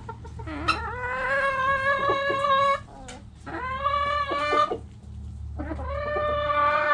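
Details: Backyard rooster crowing three times, each crow a long, harmonic, slightly rising and then level call lasting over a second, separated by short pauses, over a low background hum.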